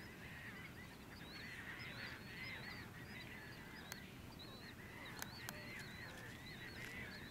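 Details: A flock of Bonaparte's gulls at the Salton Sea, California, in 2012 gives harsh, nasal, grating calls that overlap continuously, over a steady low rumble of wind or water.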